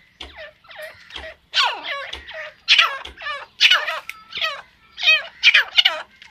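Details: Female grey francolin of the Iranian type gives harsh, chattering bursts of strongly harmonic notes, several falling sharply, grouped roughly every half second, with occasional low thumps between bursts.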